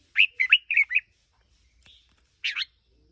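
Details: Red-whiskered bulbul kept as a decoy bird, about one year old, singing a quick run of four bright chirping whistled notes, then a short pause and a fresh two-note burst; otherwise quiet.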